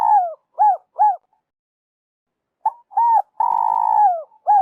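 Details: Trapping lure of a spotted dove: a falling coo and two short hollow notes, then after a pause a phrase of short coos, a long drawn coo that falls at the end, and a final short note.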